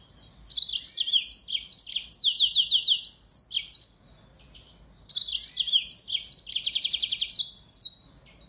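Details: Mozambique finch, a singing finch sometimes called African canary, delivering its tutor song for songbirds: two phrases of rapid, descending high chirps separated by a pause, the second ending in a buzzing trill and an upward sweep.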